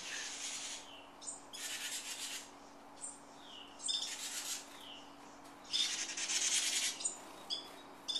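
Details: Parent birds that nested in a garage fuss protectively while their three fledglings make their first flight outside; harsh, buzzy scolding bursts alternate with short high chirps.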